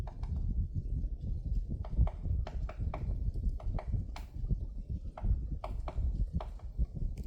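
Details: A woodpecker chiselling at a tree on Namsan, Chungju, 7 February 2026: scattered hard clicks, spaced irregularly and sometimes paired, with a persistent deep rumble underneath.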